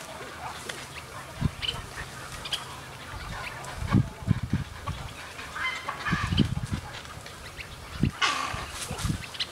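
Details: Snowy egrets at a rookery in Yolo County, a pair, give harsh, guttural croaks and raspy squawks at irregular intervals, birds calling over one another, with low rumbling wind noise.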